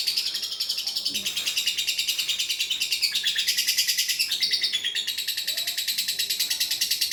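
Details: Lovebird training song, long-duration: a dense, continuous high chattering trill with rapid pulses repeating about three times a second, steady throughout.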